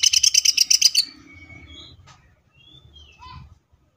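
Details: Greater green leafbird singing in full tembakan style: a fast burst of about ten sharp, bright repeated chirps in the first second, then faint thin whistles and scattered high notes.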